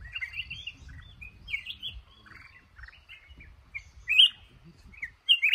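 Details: Male red-whiskered bulbul in a trap, cashew garden setting, gives scattered warbled and whistled notes with two loud sharp phrases near the end, above continuous low-pitched background rumble.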